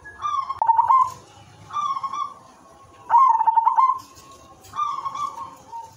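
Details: Zebra dove of the silver type singing a melodious lure song to prompt other doves: four trilled, vibrating coo phrases about every one and a half seconds, loud ones alternating with softer ones.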